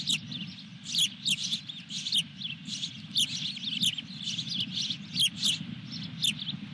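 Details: Osprey calling at the nest during a fish delivery at Dunrovin Ranch, June 2021: a dense series of piercing, high chirps and squeaky notes, often paired or in quick clusters, with a continuous low background drone.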